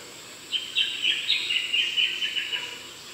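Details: An Eastern rosella in the Darling Downs region, Queensland, above 500 m, gives a quick run of high, metallic chattering notes for about two and a half seconds, over a faint steady background hiss.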